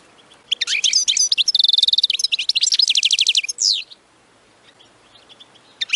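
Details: A European goldfinch gives a 'babtaba' song meant to rouse other goldfinches to sing. It is a rapid burst of bright twitters and a sustained buzzy trill, then ends in a downward slur, followed by near silence and a final chirp.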